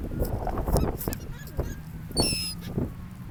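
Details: Seagull on a sandy ocean beach where people interact with the birds; one clear, nasal, honking cry just past two seconds, with faint squeaks earlier and a low steady hum of wind and surf.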